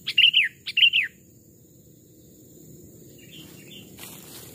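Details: Sooty-headed bulbuls, captive decoy birds aged two and three years raised from chicks, tested in forest: two loud, quick burbling whistled phrases dropping in pitch at the start, then faint distant answering notes.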